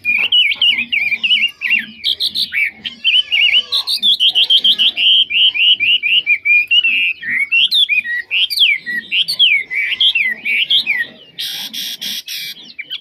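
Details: Chinese hwamei offered as an excellent, fault-free singer, delivering a long, rich run of rapid rolling whistles that rise and fall continuously for about eleven seconds, ending in a burst of harsh noisy notes.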